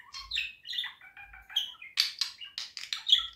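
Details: Pet budgerigar warbling a rapid, varied chatter of chirps, clicks and short whistles, mostly high-pitched notes with a few lower tones; soft low thumps in the background.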